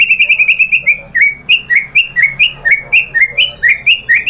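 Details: White-rumped shama (murai batu) singing as a lure: a quick stutter of high clipped notes, then steady repeated upslurred whistles about twice a second, bright and ringing.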